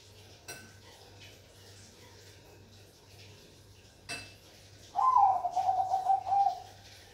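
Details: Bangkok perkutut, the zebra dove, with one short cooing phrase near the end: a clear note and a quick rolling trill lasting about a second and a half, after several seconds of low hum and two sharp clicks.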